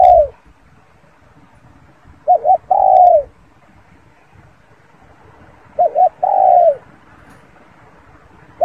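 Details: Spotted dove repeating its phrase about every four seconds: two quick hoots, then a long mellow coo dropping in pitch, with quiet pauses between.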